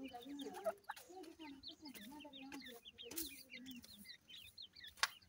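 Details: Feeding grey francolin chicks give many short, high, up-slurred cheeps in quick bursts, mixed with mellow mid-pitched clucks and a sharp click near the end.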